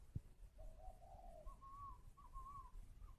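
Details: Caged spotted dove cooing while sitting on eggs at a bird garden in Ba Vì, Hanoi, northern Vietnam. The soft, hollow coos are faint: one drawn-out lower note, then a few higher, shorter notes, over a low background rumble.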